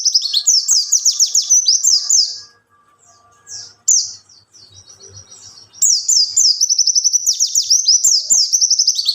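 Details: Song of a wild white-eye, played to lure and train young birds: fast bursts of high, bright twittering, briefly broken by a quiet gap with a few lone chips before another dense chattering run.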